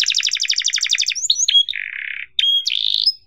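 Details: Canary song for training young canaries: a fast, even trill of repeated notes for a second, then short whistled slides, a sustained buzzy rattle, and a final rising whistle.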